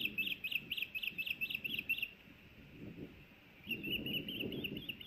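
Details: Osprey calling at its Hellgate Canyon nest in Missoula, Montana, on May 26, 2024, during a fish delivery: a clear burst of about eight sharp, high chirps, then quiet, then fainter rapid chirping under rustling noise.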